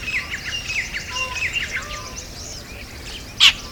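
Jungle babblers chatter in quick, squeaky, overlapping notes for about two seconds, with a few soft lower whistles; a sharp snap sounds near the end.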